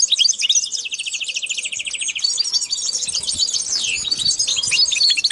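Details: Song of a linnet and canary cross: a dense, rapid warble opening with a steady rattling trill of repeated notes, then continuous twittering and sliding whistles, loud and high.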